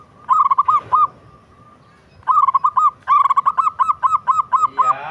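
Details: Melodious song of a local zebra dove: a short burst of rapid rounded coos, a silent gap, then two longer runs of staccato cooing notes at a steady, fast pace.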